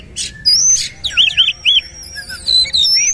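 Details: Oriental magpie-robin firing off 'nembak' song in its bowing 'sujud' style: rapid, loud sequences of high looping whistles, chattery bursts and sharp sweeping notes with almost no gaps.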